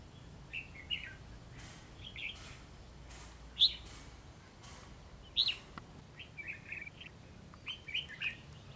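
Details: A white-cheeked red-whiskered bulbul sings eagerly atop a tree, delivering short bubbly phrases every second or two, some with sharp high accented notes, over light background noise.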